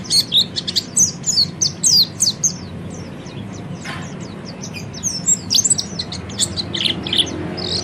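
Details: Oriental white-eye training song with lively high chirping and slurred twitters, a short click near the middle, then more scattered bright notes.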